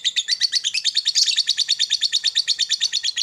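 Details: Lovebird in its morning ngekek, a long chattering trill used to stimulate other lovebirds. It is a high, rapid series of harsh, buzzy pulses, about seven a second, continuous and unbroken throughout.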